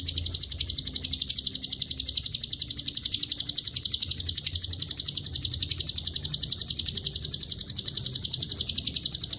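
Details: Unbroken lovebird ngekek, long and even, enriched with cililin and canary song: piercing, rapid chattering notes at a steady pace of nearly four per second for the whole stretch.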